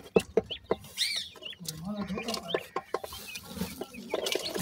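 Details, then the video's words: Grey francolin (bhura teetar) chicks give soft, clucking peeps and short high chirps in quick, irregular bursts, with clicks, rustling and a faint voice in the background. "grey francolin bird wonderfull chicks,bhura teetar chicks hot voice"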